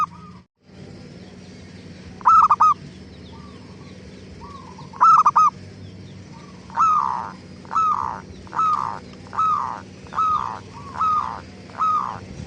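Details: Zebra dove lure song meant to prompt other doves to answer: two stuttered coo phrases early on, followed by a regular series of rising-falling calls about once a second, over a steady low hum.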